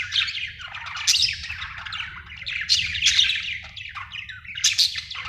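A budgerigar chatters in a steady stream of bright, scratchy chirps and warbles, a sign of contentment.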